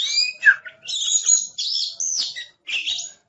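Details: Oriental magpie-robin, a caged bird called aggressive, delivering loud bursts of high scratchy and whistled song phrases separated by brief pauses, with a sharp downward slurred note near the start.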